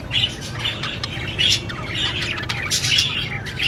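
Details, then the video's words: Budgerigars calling in short bursts of bright chirps and squawks, several loud peaks close together, over a low humming background. "Beautiful budgie parrot chirping sound"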